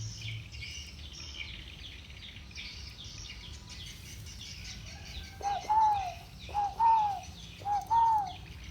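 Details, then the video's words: Spotted doves in the 'thổ bầu' voice style, two birds calling against each other: after a quiet start with distant high chirping birds, four short, deep cooing phrases come about once a second, each a brief note then a drawn-out falling coo. "Tiếng chim cu gáy giọng thổ bầu. 2 con giọng thổ bầu solo với nhau"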